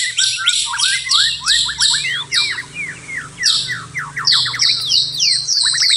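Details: Singing white-rumped shama at night: rhythmic series of sharp downslurred whistles paired with buzzy notes, repeated in fast pulses, with a slightly more varied run of whistles near the end.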